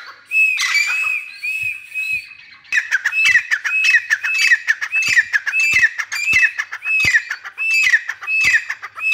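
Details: Grey francolin calling: a few long, ringing notes that slide down, then a brisk run of harsh, repeated phrases, roughly one every half second, loud and close.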